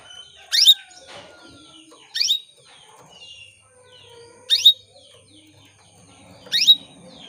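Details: Female canary calling to male canaries as a lure to get them singing. Four loud, sharply rising whistled notes, spaced about two seconds apart, over soft twittering.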